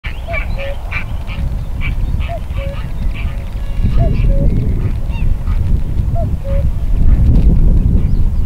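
A common cuckoo gives its falling two-note 'cu-coo' about every two seconds, over a steady low rumble of wind or distant traffic and faint chirps from small birds.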